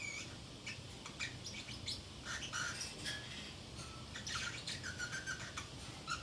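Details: Pet Pacific parrotlet left alone at home, chattering to itself indoors: scattered short chirps and squeaky whistled notes mixed with sharp clicks and rustling, over a low steady room hum.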